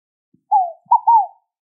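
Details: A single scaled dove phrase: a drawn-out falling coo followed by a brief note and a longer downslurred one, clear and isolated.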